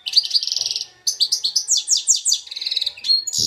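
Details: Two-year-old goldfinch x red siskin hybrid kept in Belfast delivers a fast, continuous high song: rapid repeated twittering notes, a brief gap, then cascading descending trills and a thin whistle, ending with a low knock.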